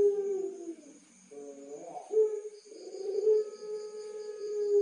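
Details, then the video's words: Barbary dove bred for pelung-style cooing, Tulungagung, Indonesia. A long, low coo ends, a short wavering note follows, then a loud, rich, drawn-out coo holds steady over a faint high ringing background. "Suara Masteran Puter Pelung Istimewa"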